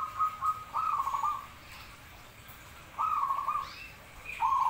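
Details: Zebra dove singing in bursts of rapid, rippling trilled cooing notes on one even pitch, with quiet gaps between the bursts and a faint hiss behind.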